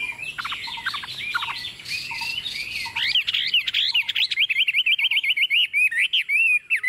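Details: Chinese hwamei, a tame bird placed on a table and singing confidently: jumbled harsh phrases giving way to a long run of rapid, evenly wavering whistled notes.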